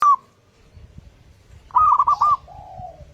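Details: Local zebra dove song, a clear-voiced lure meant for morning playback to get other doves singing: one short cooing note, a pause, then a quick burst of three rolling, arched coos trailing into a softer, fading tone.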